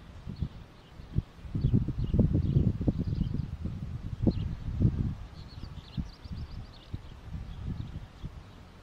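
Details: White stork giving bursts of rapid, dry, low clattering pulses that swell and fade over several seconds, with faint high chirps of small birds in the background.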